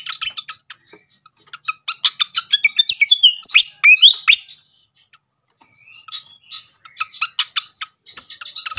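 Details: Srikatan (flycatcher) song used as a lure: staccato chips building into loud, fast twittering with rising and falling whistled slurs. A short pause follows, then more rapid chipping.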